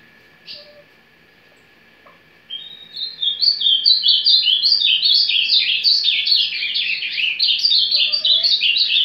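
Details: Ultramarine grosbeak (azulão) singing the surdina or carretilha style of song while warming up: after a brief opening chirp, a long fast run of high, bright, rapidly repeated notes, about 150 per minute, continuing to the end. A steady faint tone hums underneath.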